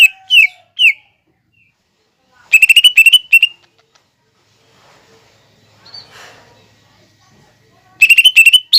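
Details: Lesser green leafbird song recorded for training cage birds, packed with mimicked fighting-sparrow and lovebird sounds: a few slurred high notes, then bursts of rapid chattering chirps separated by long quiet gaps.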